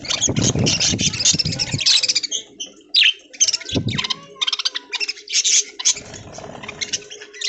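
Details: Budgerigars in an aviary, feeding on corn in green leaves in the early morning; dense, scratchy high chirps and warbles from several birds, a brief pause near three seconds, with low thumps and rustling.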